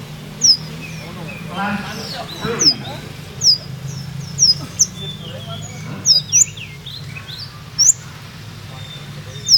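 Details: Olive-backed sunbird, called kolibri ninja, from Purworejo: scattered sharp high chirps and down-slurred whistles every second or so, with soft twittering between, over a low steady background hum.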